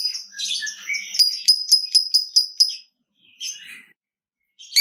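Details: Lovebird chattering as a lure for other lovebirds: a quick series of sharp, ticking notes in rapid succession, then a brief squeaky phrase and a harsh burst at the end.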